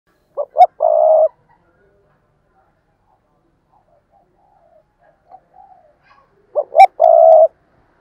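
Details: Decoy spotted dove calling and cooing intensely: two short rising notes then a long, steady, throaty coo, repeated twice with a quiet gap of soft faint notes between phrases.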